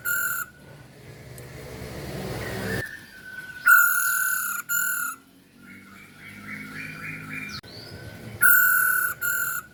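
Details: Female Chinese hwamei (poho, poksay hongkong): loud, flat, sustained whistled notes with a harsh, buzzy edge come in bursts. Between them sit quieter stretches and a run of short, rising notes repeated in quick series.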